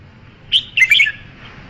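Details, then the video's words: Red-whiskered bulbul phrase: one high whistled note, a short gap, then a rapid jumble of warbled notes sliding downward, with light background hiss. "Tiếng chim chào mào"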